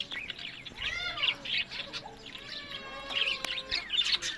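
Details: Budgerigars kept as breeding pets produce arched, whistled warbling notes that rise and fall, mixed with scratchy chirps from several birds.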